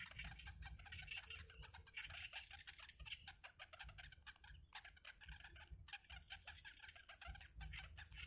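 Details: Excited yellow bittern chicks being fed in their wild nest make an unbroken stream of harsh, clicking chatter that briefly drops out twice, against a steady background hiss.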